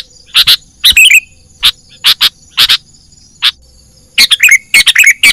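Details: Wild-bird trapping lure of a sooty-headed bulbul: paired and single hard chips, then a rapid run of chattering notes slurring downward near the end, several bursts packed closely together.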